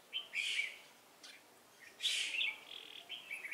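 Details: Wild red-whiskered bulbul from Hòa Bình at a decoy trap, 18 November 2017: two loud, rich chirping bursts with quick warbled notes, a quieter phrase between them and short trailing chirps at the end.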